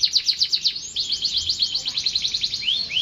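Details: Canary song, part of a long unbroken session: fast buzzy trills of bright high notes run together, ending in two rising whistled slurs.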